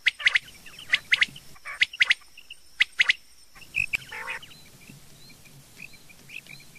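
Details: Rain quail (Coturnix coromandelica) calling in the morning gives sharp, metallic doubled notes, about one pair each second, four times, in a hunters' recording. Softer chirps from other small birds follow.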